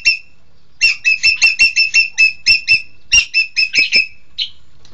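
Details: Green magpie (engkek keling) calling in two rapid volleys of loud, harsh-edged ringing notes, about eight then four, followed by one softer trailing note.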